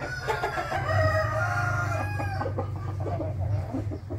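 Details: Morning rooster crow, 8 April 2021: a strained, harmonic crow over the first two and a half seconds that fades out, with a steady low rumble beneath.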